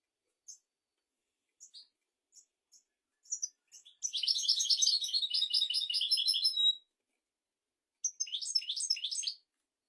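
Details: Tutor song of a royal European goldfinch, meant to teach goldfinches and canaries: isolated sharp high chirps at first, then a nearly three-second rush of rapid tinkling trills, a silence, and a final burst of jumbled twitters.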